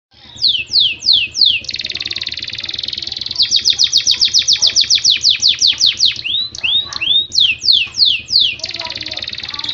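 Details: Canary song in breeding condition, used to bring males and females into breeding readiness: loud series of sweeping down-slurred notes, buzzy sustained trills, and rapid repeated rolls alternating across the phrase.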